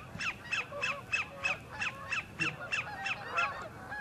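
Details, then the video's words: Horicon Marsh, northern end: a sandpiper singing for a mate with a rapid, regular series of about eleven sharp notes, roughly three per second, while geese honk in the background. "SANDPIPER SINGING"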